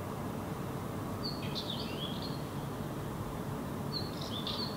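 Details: A Northern wheatear (Oenanthe oenanthe) sings in a park in Helsinki, Finland, in June 2018, unseen. It gives two short, scratchy warbled phrases of high, rising and falling notes a couple of seconds apart, over a low rumble of distant traffic.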